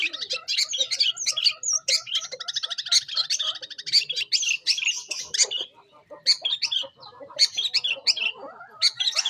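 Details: Long-tailed shrike singing loudly to lure young wild shrikes; scratchy, buzzing chatter in long bursts, a short pause, then more rapid chirping phrases.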